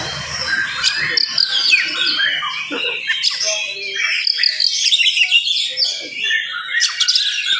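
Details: An oriental magpie-robin gives a dense, fast morning song to provoke rival magpie-robins. Scratchy chatter and rising and falling whistles are packed closely together, with a few lower notes in between.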